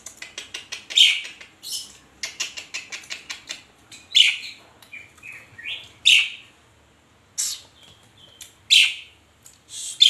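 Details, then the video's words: Pet Asian pied starling (jalak suren) in active gacor chattering, said to be asking for coffee: rapid runs of dry clicks, then harsh broadband squawks about every one and a half to two seconds, with short whistled notes between them. "GACORNYA BURUNG JALAK SUREN MINTA KOPI"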